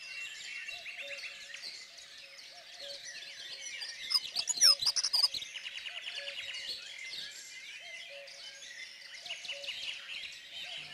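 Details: Dunnock song from Côtes d'Armor, a fast jingling warble of high, thin notes repeated in short phrases, loudest in a burst near the middle, over a faint low repeating melodic background.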